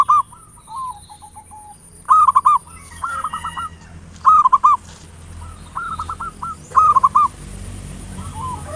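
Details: Local zebra dove singing in the ngayer nulop style, used as a lure to provoke other doves to sing: loud, bubbling cooed phrases of rapid rolling notes repeat every one to two seconds, with fainter doves cooing between them and a steady high electrical whine.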